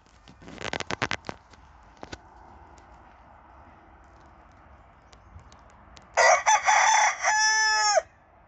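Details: A Silver Spangled Hamburg rooster in a kitchen garden gives one loud, harsh crow of about two seconds, rising then held and falling at the end, after a few sharp clicks and knocks.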